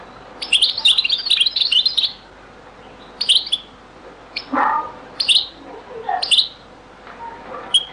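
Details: European goldfinch singing in the Beni Messous 'les avocats' (zaboka) style, from a very old recording: a rapid twittering burst, then separate short tinkling phrases spaced about a second apart, with a lower rough note mid-way.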